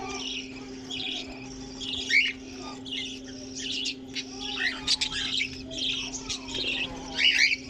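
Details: Many budgerigars in a colony housed alongside cockatiels, giving bursts of buzzy chirps and short warbling phrases, several louder squawks near the middle and end, over a constant electrical hum.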